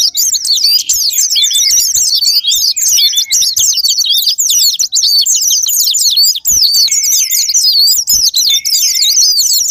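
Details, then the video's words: Lure recording of a white-eye (pleci) sparring partner to make other white-eyes sing: an unbroken torrent of high, zigzagging chirps, with a few steadier lower whistled notes. "Pancingan Super Gila Sparing Patner,ampuh buat pancingan Semua jenis burung pleci pemicu andernalin"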